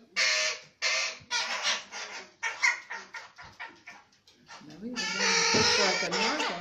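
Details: Crow chick fallen from its nest on 11 May 2019, begging while being hand-fed: harsh rasping calls repeated about twice a second, growing into a continuous loud squalling.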